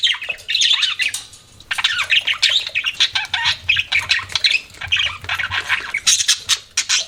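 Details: Pet budgies in steady noisy chatter: harsh squawky chirps and high warbled notes come in quick pulses, several birds calling at once, a low hum in the background.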